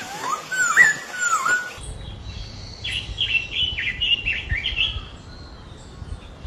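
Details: Birds chirping: a few clear, bending whistled notes at first, then a rapid string of short, slightly buzzy chirps over faint low background rumble.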